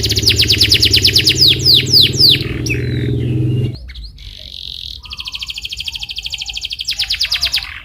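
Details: Lure recording of canary song meant to make a canary answer: rapid descending sweeps and trills over a low hum, then a pause and a long high steady trill ending in pulsed notes.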